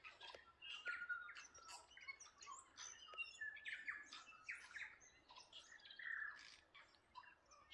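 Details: Bird chorus at Waikawa: a busy mix of overlapping chirps, squawks and short whistled phrases, some rising or falling, several voices calling at once with no pause.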